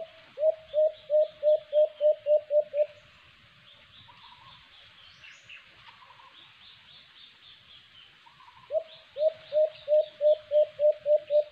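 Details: Alimokon, the white-eared brown dove, filmed while bird trapping. A burst of about nine rapid, hollow coos is followed by a pause filled with distant bird chatter, then a second matching burst of coos.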